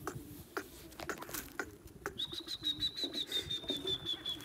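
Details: Caged francolin, called Irani teetar, among partridges and pheasants; after clicks and tapping, one long high steady whistle slowly drops toward the end.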